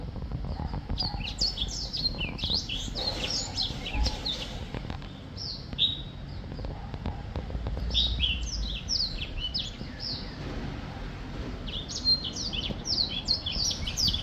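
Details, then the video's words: Black-throated finch singing: bursts of short, high chirping and twittering notes in quick clusters, pausing between bouts, over a constant low rumbling background noise. "Black throat finch singing / 黑喉燕歌唱"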